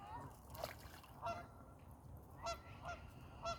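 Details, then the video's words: During a duck fight, short nasal honks come in an irregular series of about five calls, the later ones louder and closer together, over low rumbling noise. "Ducks Fighting (and making funny noises)"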